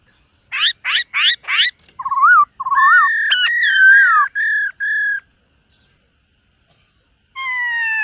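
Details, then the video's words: Silver-eared laughingthrush singing in the morning to train its voice: three quick rising sweeps, then loud rich whistles with harmonics, some wavering, some held steady, ending in a pause and a final whistled note. "Khướu BẠC MÁ hót MÚA luyện giọng . Khướu hót sáng luyện giọng kích bổi"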